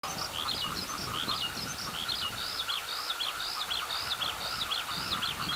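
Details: Eurasian skylark singing high in the sky above a rice paddy: a continuous stream of shrill, chirping, twittering phrases with quick up-and-down slurs, over a steady lower hum of frogs beginning to call.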